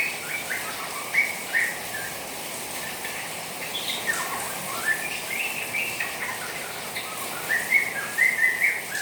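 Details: White-rumped shama in its juvenile moulting stage, kept, stirred to chatter by the sound of rain: quick runs of buzzy, twittering notes with brief rising and falling slurs, partly masked by constant rain hiss.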